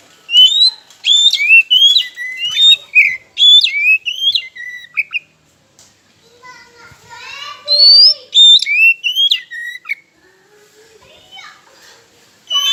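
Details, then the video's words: Oriental magpie-robin song used to goad silent rivals: a long run of varied sliding whistles and sharp upward flicks, with a softer chattering passage in the middle and a brief final burst. "Pancingan KACER Macet Bunyi, Sekali Dengar Langsung Emosi!"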